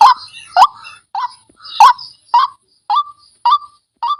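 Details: White-breasted waterhen lure call, described as fierce: short croaking notes that bend upward, repeated roughly every half second. Louder, harsher notes open the series and quieter ones follow.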